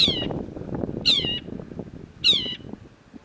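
Long-tailed Shrike giving three harsh, nasal, slightly falling calls about a second apart, over a low murmur of background noise.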